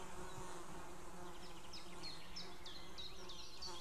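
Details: White-tailed eagle calls recorded 2 May 2016 shortly before noon, female and far-off male calling; a quick run of sharp, thin yelps in the second half over constant low hum.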